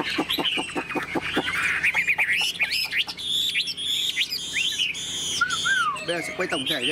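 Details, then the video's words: Chinese hwamei in a cage, a tamed songbird, giving quick clicking notes, then long rich whistled phrases and falling slurs, mixed with rapid broken warbles. "Họa mi thuần sách lồng hót, đuôi xòe, ngũ trường hót cao cầu"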